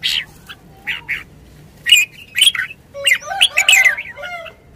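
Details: Red-whiskered bulbul in a cage, used as a decoy bird: a few clipped whistles, then a tumbling, warbled phrase of rising and falling slurred notes with a harsher undertone.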